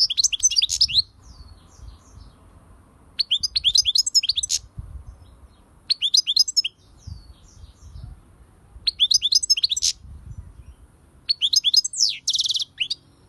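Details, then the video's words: European goldfinch song: bursts of bright, tinkling twitters and buzzy chirps high in pitch, delivered in short phrases about every two to three seconds, with quiet pauses between and a faint low rumble underneath. "SAKA KUŞU ÖTÜŞÜ"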